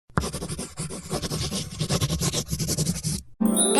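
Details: Bass-heavy music with scratching effects and no animal voices, ending in a short bright jingle.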